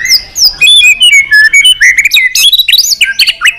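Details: White-rumped shama singing intensely in many voices, worked up and flicking its tail: rapid whistled notes jumping between pitches, zigzag trills and sweeping slurs strung together without pause, very loud and near.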